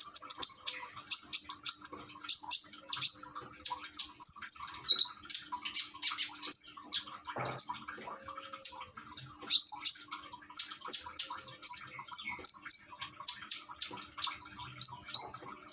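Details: Caged common iora from Gresik, East Java, Indonesia, recorded on an Android phone with trickling water played as therapy to prompt singing. Steady run of quick high chirping notes, repeated many times a second in rhythmic bursts, with occasional short clear whistles.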